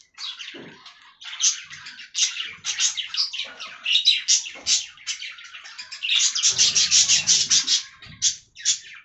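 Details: Several budgerigars feeding on fresh green leaves chatter in dense, scratchy warbles and rapid chirps, with overlapping voices forming a near-continuous stream and brief pauses; faint low rustling sounds underneath.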